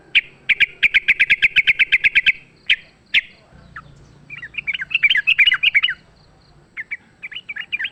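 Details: Wild sooty-headed bulbul singing in a fight, used as a lure: a fast run of about sixteen sharp repeated chips over two seconds, then bubbly, varied slurred whistled phrases.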